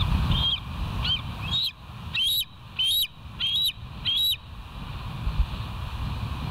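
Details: Bald eagles at the West End nest on a live nature cam, morning of 5 September 2023: a chattering series of about seven high, thin, upslurred piping notes, coming roughly every half second, with steady low background rumble.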